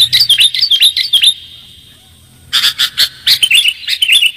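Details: Sooty-headed bulbul used as a lure call for attracting birds: bright, high chirps repeated about twice a second, each with a quick rise and fall, in two bursts separated by a short pause.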